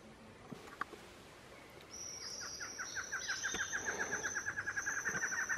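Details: Male barred antshrike in dry forest at Mana Dulce Reserve, Colombia, January 2017: a rapid rattling run of short notes that speeds up and grows louder, over a steady high insect drone.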